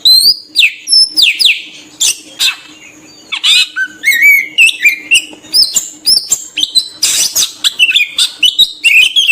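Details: Lure song of an oriental magpie-robin for drawing in other birds, made of bright, high whistles, sweeping slurs and clipped chirps in rapid bursts separated by short pauses, with a faint steady hum underneath.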